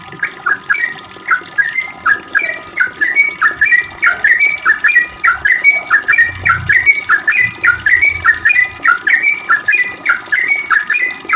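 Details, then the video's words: Prolific sooty-headed bulbul singing its long ropel, a lure to draw replies from others of its kind: continuous chain of bright, slurred whistled notes at a brisk, even pace over a low constant hum. "Trucuk gacor ROPEL panjang buat pancingan trucuk agar bunyi JADIKAN burung trucuk gacor NYAUT"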